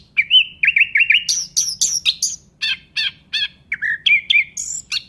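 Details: Nightingale song of rippling, warbled notes repeated in threes. High sweeping whistles follow, then rich chopped notes and twittering slurs in a lively, fast-changing sequence.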